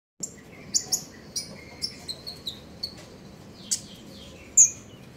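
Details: Common iora in the morning, singing in the continuous trilling chatter style called trotol ngeriwik: very high, thin, short chips and brief sharp notes, spaced irregularly about every half second, over a low background hum.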